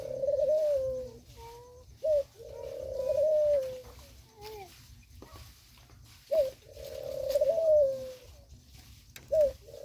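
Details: A flock of black and white pigeons living together and feeding in forest and mountains; low, mellow coos in drawn-out phrases that rise then fall, each starting with a short clipped note, repeated several times.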